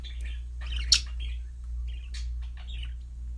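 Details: Budgerigar giving a few separate chirps and a sharp squeak, with brief buzzy warbled notes between quiet gaps, a low hum running underneath.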